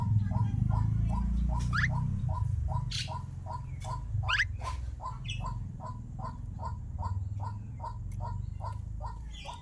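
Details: A starling kept as a pet for four years repeats short mid-pitched chips about four times a second over a low hum, with a few quick rising whistles slipped in.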